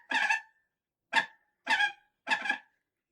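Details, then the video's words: Falcon screeching: four harsh, raspy, rich-toned bursts, each under half a second, separated by silent gaps. "Real falcon screeching sound"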